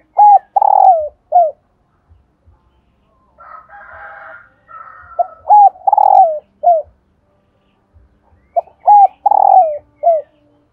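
Female spotted dove gives three bursts of soft, hollow coos, each a quick run of low notes, with a brief rougher buzzing sound between bursts.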